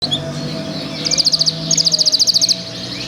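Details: A ringed canary (2025 ring) sings two short bursts of rapid, evenly spaced high trill notes over a steady low hum.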